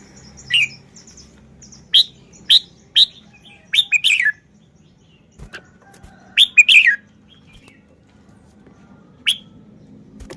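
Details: Red-whiskered bulbul showing its song phrasing: bright, slurred whistled notes given singly and in quick two- or three-note runs, with brief pauses, over near-silence and a faint low hum.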